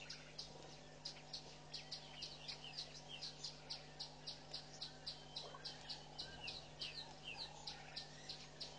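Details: Southern masked weavers building and lining a nest at Pete's Pond, Mashatu Game Reserve, Botswana, in February; rapid high chirps, about three each second, run on steadily over a constant low electrical hum, with faint other bird notes.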